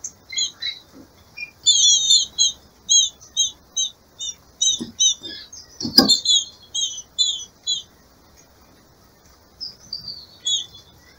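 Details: Female green-winged saltator in breeding season, calling to stimulate the male: rapid series of short high chirps and double notes, some clustered in bursts, with soft clicks and a sharp knock midway.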